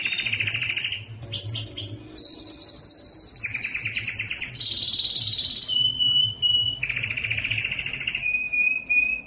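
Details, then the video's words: Yellow canary song built of contrasting tours: double-pitched buzzy rolls, pure sustained whistles, and fast trills, each held for a second or two before switching. "yellow canary singing"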